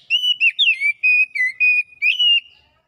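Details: Oriental magpie-robin singing a run of clear, sustained whistled notes, some level and some gently wavering or slurred, joined in a continuous phrase lasting over two seconds.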